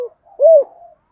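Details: Spotted dove calling to provoke a rival: a single smooth, low, hollow coo that rises and then falls in one arched note, with a softer trailing tone after it and silence around it.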